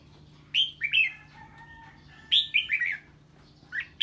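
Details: A red-whiskered bulbul in 'ché' song reacting to an unfamiliar bird. Two bright, tumbling phrases of three to four slurred notes are set about two seconds apart, with a faint thin whistle between them.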